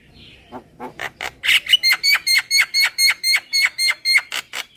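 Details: Javan myna lure call of the kenyih type: after a faint falling note, harsh, clipped notes repeat steadily about twice a second, each sharp and buzzy with a ringing overtone.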